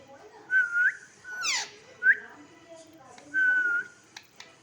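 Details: A 14-year-old pet parrot whistling along with people indoors: level clear whistles, some ending in a rising upturn, plus a quick sliding note, with soft background noise between phrases.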